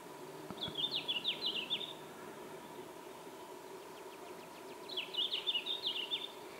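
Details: A red-flanked bluetail in the Ural Mountains, Russia, on 19 June 2016 gives two brief, high, jangling warbled phrases a few seconds apart, with soft ticking notes between them over a steady low hum.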